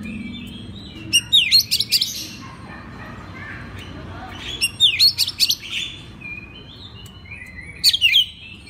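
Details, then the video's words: Oriental magpie-robin master recording for training other magpie-robins: three separate short bursts of shrill chirps and sweeping whistles, a few seconds apart, over a low background hum. "pagi siang malam kacer lain ikut gacor. isian master kacer. suara kacer"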